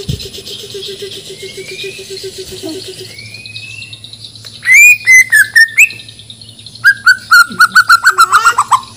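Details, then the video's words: Bornean white-rumped shama from Banjar, being readied for a songbird contest, singing a varied song: soft rising whistles over a low steady hum, then loud bursts of slurred notes repeated in quick rapid series. "Murai Batu Gacor Full Isian || Murai Borneo Full Emosi"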